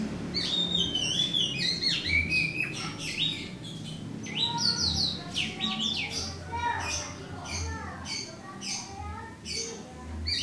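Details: Morning song of a lone white-rumped shama, rich whistles mixed with rapid chattering and sweeping notes, delivered in fast varied bursts over a steady low hum.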